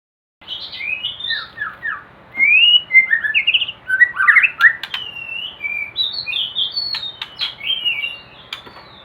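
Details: White-rumped shama kept for breeding in a hanging cage, singing a rich, varied string of whistled, slurred and rising-falling phrases with a few sharp clicks, steady low background hiss throughout.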